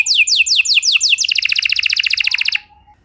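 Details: Canary song used as a lure to get other canaries singing: a run of high descending whistled sweeps gives way to a fast, even rattling trill of repeated notes, then falls silent.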